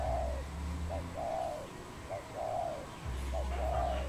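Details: Wild dove calling in Cambodia on 23 April 2020, repeating a pattern of a brief clipped note followed by a long soft coo three times, over a droning low hum.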